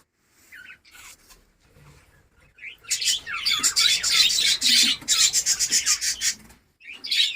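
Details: A caged breeding colony of budgerigars in Darbhanga, Bihar, India; after a few sparse chirps, loud busy twittering from many birds builds up, with rapid repeated chirps and warbles.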